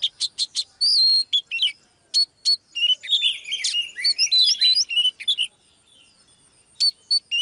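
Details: Female Oriental magpie-robin's lively song to stir a male: quick clipped whistles, then a jumbled run of warbles and buzzes, a near-silent stretch, and a few final sharp notes.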